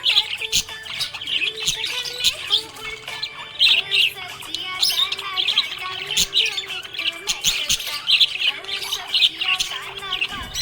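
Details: Happy budgies chirping: lively, continuous chatter of high twittering notes, scratchy trills and short whistles in repeated bursts, with a few sharp clicks in the background.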